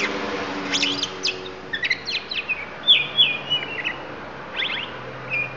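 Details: Oriental magpie-robin of the Lampung type singing isian fill-in phrases: clusters of rapid high chirps alternate with longer clear whistles, one held flat note, then more quick trills, about three notes per second and irregular.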